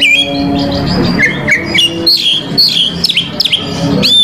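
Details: Oriental magpie-robin (kacer) singing its repertoire, 'isian', to provoke rival males: loud, varied clear whistles, rising and falling notes and quick slurred phrases, with short sharp chips near the end, over a faint low hum.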